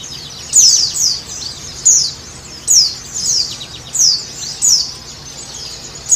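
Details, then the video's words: White-eye (pleci) song used to stimulate a caged bird: high, sibilant down-slurred chirps in bursts roughly every second, uneven in spacing, with light background hiss. "Terapi pleci supaya cepat bunyi dan buka paruh|| Pancingan pleci"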